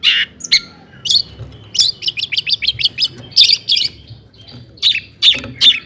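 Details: Long-tailed shrike song played to provoke other shrikes to sing; a loud opening burst, then a quick series of sharp chipping notes about every third of a second, pausing before a few more emphatic strokes.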